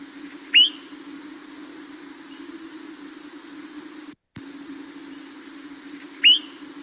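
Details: Swainson's Thrush nocturnal flight calls during fall migration, heard early morning on migration nights: two short, clear, rising 'peep' calls about six seconds apart, like a spring peeper, over a steady low hum.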